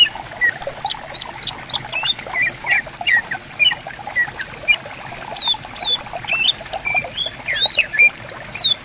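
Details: In bamboo forest by a river, greater green leafbirds call in reply to one another. Short whistled notes and squeaky slurs repeat steadily, ending with high, sweeping whistles, all over gently babbling water.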